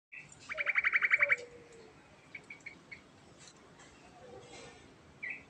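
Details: Sooty-headed bulbul in lively ngerol (rolling) song style: a rapid buzzy trill of about a dozen even pulses lasting just over a second, followed by a few scattered short whistled notes over a low background hiss.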